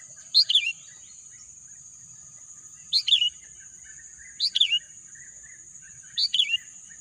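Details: Wild bird singing amid green natural scenery, giving short high chirped phrases, each a quick rising-falling double note, repeated four times at uneven gaps of about two seconds, over a steady high insect-like hiss.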